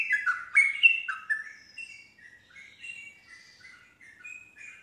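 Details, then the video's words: Yellow-vented bulbul song meant to lure silent bulbuls into replying and singing continuously ('nropel'): a loud burst of gurgling, slurred whistles in the first second and a half, then softer scattered warbled notes trailing off. "respon cepat untuk Trucuk bahan macet langsung terpancing nyaut ikut nropel"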